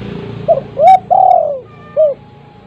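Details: Spotted dove kept at home, a lure call meant to set silent doves calling: one low cooing phrase of a short note, a rising coo, a long falling coo and a final short note, over faint background hum.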